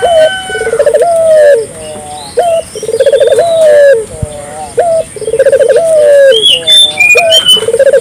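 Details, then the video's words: Lively Barbary dove call meant to prompt local doves to answer: repeated phrases of a brief note, a rapid rolling trill and a drawn-out falling coo, about four phrases in a row; thin high chirps of other birds behind. "suara burung puter gacor,merangsang burung puter lokal ikut gacor"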